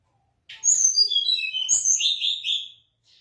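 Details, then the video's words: High whistled song of a mangrove blue flycatcher: a short lead note, then a cascade of clear descending whistles and a buzzy lower trill at the end, with a faint click and brief note after. "mangrove blue-flycatcher bird"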